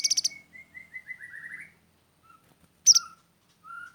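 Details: Grey-headed canary-flycatcher singing actively with a sharp voice: a rapid high trill, then a run of short whistled notes slowly falling in pitch, another brief trill and clear whistles; quiet background.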